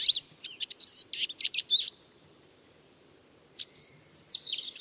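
Eurasian siskin giving a quick run of high, twittering chirps, then after a pause a drawn-out, thin wheezy note falling in pitch, followed by more twitters.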